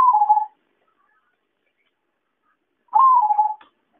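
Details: Trapping lure of a zebra dove: the tail of one pulsing note, then after a pause a full call that rises briefly and slides down with a tremulous quality.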